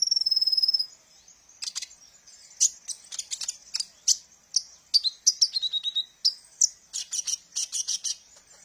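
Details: Song of the kolibri ninja sunbird used to lure training birds; opens with a sustained thin high trill, then rapid sharp chirps and short descending whistles in lively bursts.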